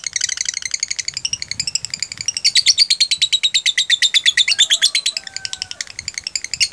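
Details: Lovebird singing a continuous "jeda rapat" song used to teach other lovebirds: rapid high pulsed chatter throughout, with faint lower whistled tones in the background near the end.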